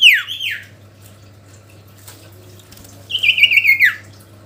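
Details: Sooty-headed bulbul calling a rival, two separate bursts of song: a high whistle sliding sharply downward, a quiet gap, then a trilled phrase that ends in a falling note.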